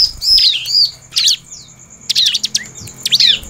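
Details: Bar-winged prinia (Prinia familiaris), song.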